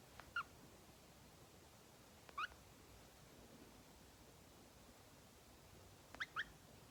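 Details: Pet green-cheeked conure, 2.5 years old, cuddling up to its owner's neck indoors and making tongue-clicking sounds: sharp double clicks heard three times, about two seconds apart, over quiet room hiss.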